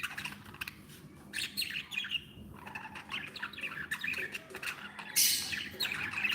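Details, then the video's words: Happy pet budgerigars chattering: fast, scratchy warbled chirps and clicks in uneven bursts, a brief pause, then louder squawks and a harsh noisy screech toward the end. "Happy budgies | Happy budgies sound"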